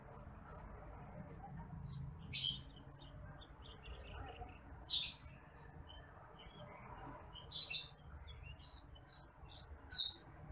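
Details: Bush lark, recorded as a training track for other birds, giving brief bright high chirp bursts roughly every two and a half seconds, with faint twittering between and steady low hum behind.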